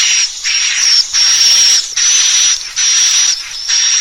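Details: Call for luring swiftlets into a bird house to roost: steady, regular buzzy hissing bursts, each topped by a thin high whistle, repeating about once a second with short breaks.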